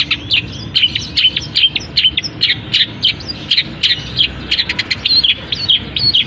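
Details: Long-tailed shrike kept in a cage, singing steadily once uncovered and imitating canary, fighting sparrow and kapas tembak. A rapid, unbroken stream of high, bright notes, many with a quick downward flick, repeated several times a second.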